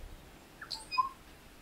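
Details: A juvenile tui, lacking the adult white throat tuft, in the Maungakotukutuku Valley, New Zealand, gives a brief quiet mix: a soft mid note, a breathy high rasp, then clear piping whistles at several pitches over faint hiss. Tui.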